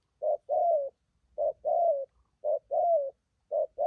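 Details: Freshly caught wild spotted dove for trapping, cooing 'thúc gù': clean pairs of a short low coo and a longer, slightly falling coo, repeated about once a second in quiet surroundings.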